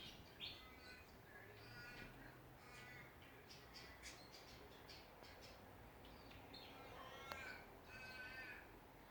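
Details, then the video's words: Songbirds in a backyard in Ballajura, Western Australia, heard at a distance: ringing, rasping calls and scattered short notes repeat over steady background hiss. "Australian songbirds in backyard."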